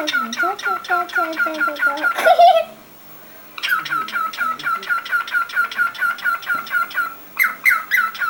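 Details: Household cockatiel repeating harsh, piercing call notes in quick succession. A louder burst comes before a second of silence, then the steady squawks resume and continue to the end.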